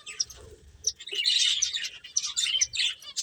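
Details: High-pitched finch chirps tumble in quick overlapping bursts, some notes sharp and clipped, others buzzy, with a soft low murmur of movement in the background.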